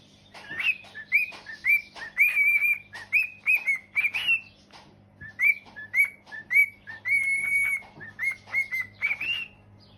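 A cockatiel sings a run of bright, rising whistles, one every half second or so.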